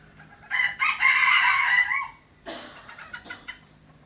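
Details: Aceh red junglefowl lure rooster crowing: a harsh two-part crow lasting about one and a half seconds, followed by a second rougher burst of clucking notes after a brief pause.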